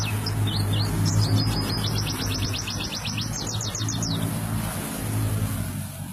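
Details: White-eye song, a kelud-style dakun singer rolling and firing: fast bright trilled phrases of repeated high notes for about four seconds over a steady low engine-like hum.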